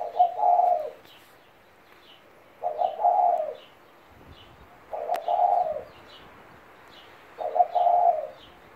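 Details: A 17-year-old pet spotted dove cooing: four low, mellow, slightly rolling coo phrases, each about a second long, repeated roughly every two and a half seconds, with faint high chirps from other small birds in the background.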